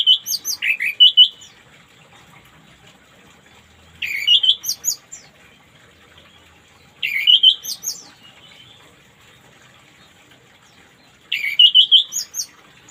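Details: Morning song of an orange-headed thrush, meant to coax silent birds into singing: four brief bursts of sweet, tumbling whistles with sharp high flourishes, repeated roughly every three to four seconds over a quiet background.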